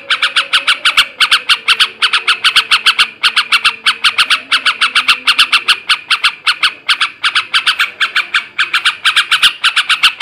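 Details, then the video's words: Sooty-headed bulbul male in ngebrem ngekek garuda style, used to stimulate breeding in other birds; dense, fast runs of scratchy squawking notes, almost continuous, with brief pauses between bursts. "kicau suara burung trucukan jantan ngebrem ngekek garuda ini ampuh menaikkan birahi trucukan bahan"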